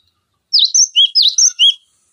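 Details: Cinereous tit tutor song for training other songbirds: a short burst of about five bright whistled notes alternating high and lower pitch in just over a second.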